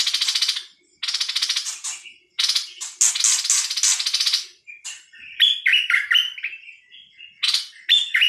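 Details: A Thai nok dok taeng bird gives long, hissing, buzzy rasps at first, then switches to quick, varied chirps and slurred twittering notes, broken by short scratchy bursts.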